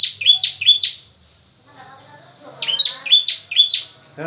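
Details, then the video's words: Singing bar-winged prinia, known locally as 'ciblek kristal', in its 'pranjak tamu' variation: bursts of three to five sharp, high, down-slurred chirps separated by a short pause, with faint low murmuring in the background. "Ciblek Daput bunyi variasi Pranjak tamu"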